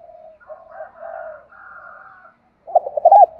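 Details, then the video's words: Cooing from a spotted dove aimed at drawing replies from wild doves: soft, hollow low coos at first, then after a pause a louder rapid sequence of short bouncing coo notes. "tiếng cu gáy thúc bổi sung"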